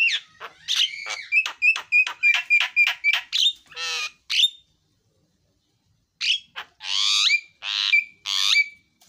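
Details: Javan myna song opening with a fast series of sharp, evenly spaced chip notes, then a brief harsh rattle, a pause, and a burst of loud, grating squawks mixed with higher whistles.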